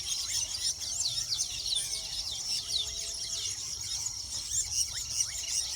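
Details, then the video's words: Weaver birds at their nests give a dense chorus of many overlapping high, scratchy chirps and sizzling twitters, running on without pause. "sounds of weaver birds"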